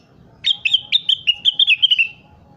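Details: Rengganis, or crested partridge, in full voice as tutor material: about eleven sharp whistled notes in under two seconds, opening with short clicks and sliding slightly lower toward the end, over a soft low background hum.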